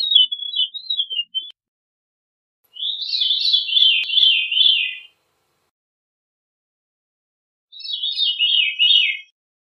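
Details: Veery singing three separate phrases, each a rolling, reedy spiral sliding downward, with silent gaps of a few seconds between them.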